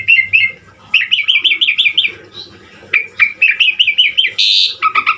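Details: Asian pied starling in full varied song, from a recording made for tutoring birds: rapid trills of looping whistled notes in two runs, separated by a quieter gap, ending with a harsh noisy burst and sharp notes.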